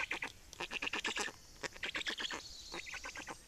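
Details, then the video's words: Feeding Black storks, Estonia, 25 May 2019: quick series of clipped, raspy notes, roughly a dozen per burst, in three stuttering groups separated by short silences. "Estonian Black Storks - Feeding"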